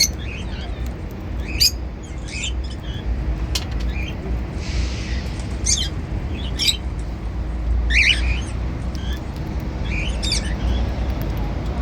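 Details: Several cockatiels feeding on seeds make sharp, raspy squawks and chirps roughly every one to two seconds. A brief hiss-like rustle and constant low background hum are also heard.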